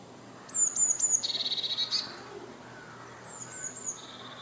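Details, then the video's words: Eurasian blue tit singing: a few very high, thin, sliding notes, then a fast, even trill of about a dozen lower notes, followed by softer high notes. Quiet background. "Gelatik Wingko Gacor - Eurasian blue tit"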